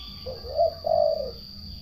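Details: A single low, rolling purr from a turtle dove, two connected pulses lasting about a second, over a quiet background hum.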